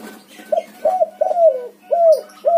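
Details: Spotted dove with white plumage, known as backspot, cooing hard in a fast run of five hoarse, rounded notes, the third drawn out and falling, a high chirp briefly behind.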